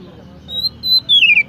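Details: Oriental magpie-robin giving high, pure whistled notes, two held steady and a final louder one that slides downward, against quiet low background hum.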